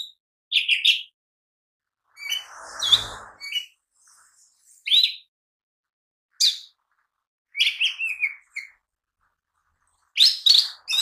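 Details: Lively song of a mini green leafbird, used to lure and train other birds: scattered high chirps and rising whistles in short groups separated by pauses, with one brief noisy thump early on.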